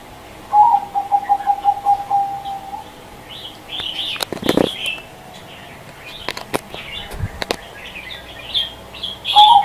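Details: Zebra dove giving a run of quick, evenly spaced low coos that fade after about two seconds, followed by wing flaps, clicks and scattered high chirps from small birds.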